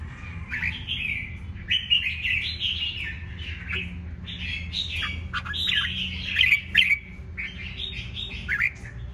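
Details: Red-whiskered bulbul, wild-caught and caged for one week, singing with crest raised: loud, warbled phrases around mid-high pitch, each lasting about a second, given in quick succession with brief gaps, over a low steady hum.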